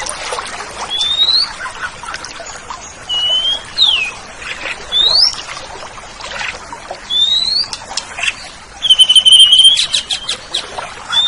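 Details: Oriental magpie-robin song, a tutor recording for training kept songbirds: lively high whistled phrases, sharply rising and falling slurs, mixed with scratchy buzzy notes, delivered in quick bursts about every second.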